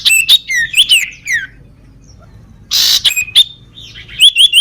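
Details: A sooty-headed bulbul with a lame leg sings busily: tumbling chirps and slurred whistles, a harsh noisy burst midway, then repeated short rising notes at a steady pace.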